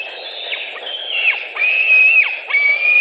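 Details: At a Latvian white-tailed eagle nest on 26 July 2018, with an adult carrying a bird: four quick high whistled notes, level then slurring downward, growing louder across the short run.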